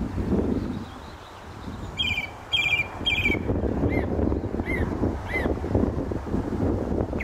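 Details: A male song thrush singing in May 2012 near a gravel pit at St Albans, UK, from a telephone wire and tree: a bright, chirpy phrase three times, then a clear rising-falling whistle three times, over wind and distant traffic.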